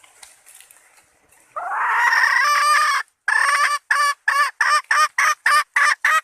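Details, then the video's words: Female red junglefowl lure call for summoning males: faint noises, then a long drawn-out hoarse note lasting over a second, followed by a fast run of about ten clipped, cackling notes, each roughly a third of a second apart. "suara ayam hutan betina merah asli/The sound of the original red female jungle fowl"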